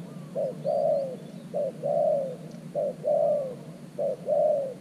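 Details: Caged decoy spotted dove luring wild doves to an earthen trap, giving steady low coos: four phrases in under five seconds, each a short note then a longer, slightly falling rolled coo.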